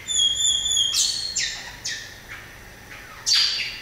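Variable oriole singing: a steady, high whistle opens, then loud slurred notes drop in pitch about twice a second and end in a harsher burst.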